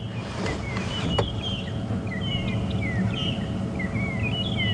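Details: Magpie (long-tailed) shrikes in African bush at sunrise, 18 August 2015, give clear, slurred rising-falling whistles every half second over a game-drive vehicle engine, drowning out dwarf mongoose contact calls amid alarm calling near lions and a leopard.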